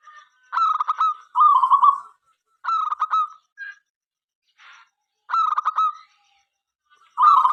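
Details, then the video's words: Local zebra dove (perkutut lokal) in song, used to lure other doves into singing: alternating pulsed and rolling coo phrases at a steady pitch, brief faint rustles in the gaps. "perkutut lokal gacor suara MENGGODA apapun jenisnya 5 detik nyaut."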